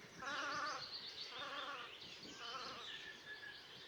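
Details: Velvet scoter recorded in March 2024 at Liepāja, Latvia: three harsh, wavering, nasal calls about a second apart, the later ones softer, over noticeable background hiss.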